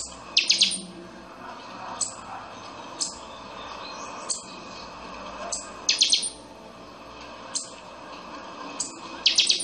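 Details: Pixoxó, or buffy-fronted seedeater, singing chanchão song: piercing high chips repeated every second or so, with rapid ringing triplets recurring about every three seconds across the phrase.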